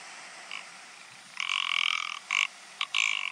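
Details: Ptarmigan uttering hoarse, drawn-out croaking calls: a long grating rattle followed by several shorter clipped croaks, loud and close over faint background hiss.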